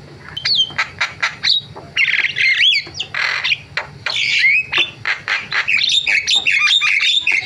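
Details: Javan myna performing a varied song: sharp clicks, rasping squawks and twisting whistled phrases that rise and fall, in a dense, continuous stream.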